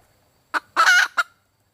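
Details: Female red junglefowl hen calling for a mate: a short clucking note, then a longer harsh nasal squawk, then one more clipped cluck, all in a brief burst over silence.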